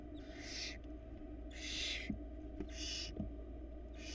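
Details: Florida nest-cam barn owls, 2022, after the male's rat delivery. Four long, noisy, wheezing screeches about a second apart, with faint clicks between them.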